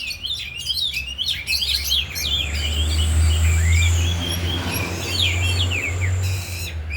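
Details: Afternoon training of four captive oriental magpie-robins displaying isian fill; bursts of sharp chirps and sliding whistles over a loud low droning hum, with a thin high tone drifting across.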